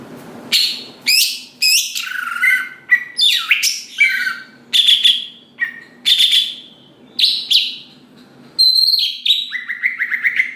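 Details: Greater green leafbird singing to provoke rival leafbirds; a varied, choppy series of harsh chatters, squeaky slurs and short whistled notes in bursts about half a second apart, with a steady low hum underneath.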